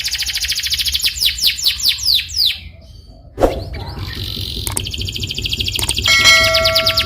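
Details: Canary song played as a lure to prompt another canary to sing, in a fast rolling style: rapid high buzzy trill and repeated descending whistled sweeps, then a pause, a sharp click and steadier high tones with light background noise.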